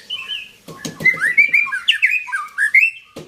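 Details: White-rumped shama of the long-tailed Belorok line from Medan sings rapid, rich whistled phrases, rising and falling slurs strung close together, with a few sharp clicks and knocks at the start and end.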